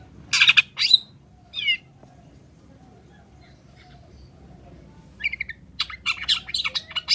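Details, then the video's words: Long-tailed shrike singing gacor, a recording offered to prompt silent shrikes to answer: a few harsh, scratchy bursts open, a quiet gap follows, then a quick run of chattering notes returns at the end. "PANCINGAN CENDET SUSAH BUNYI PASTI LANGSUNG NYAUT DAN IKUT GACOR DENGAR SUARA CENDET GACOR INI"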